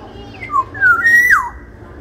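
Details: Large-bodied Sumbawa black-naped oriole whistling: a short rising note, then a long fluty whistle that climbs and holds before sliding steeply down, with a faint low hum underneath.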